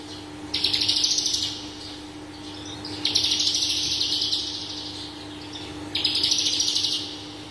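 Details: Horsfield's bush lark, a singing bird recorded for song training, sings three dense, high, rapid bursts of chattering notes, each about a second long and spaced a couple of seconds apart, over a steady low hum.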